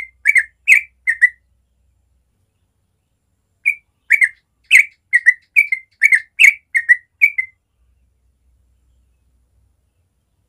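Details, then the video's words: Morning 'ropel' song of a yellow-vented bulbul in natural surroundings: a short burst of three chirps, a pause, a rapid series of liquid slurred notes, then quiet. "Masteran Trucuk ropel suara alami pagi hari"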